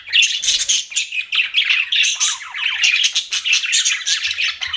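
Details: Pet budgerigars keep up a dense, continuous warble: fast buzzy chirps, squeaks and trills pulsing several times a second with no real pauses.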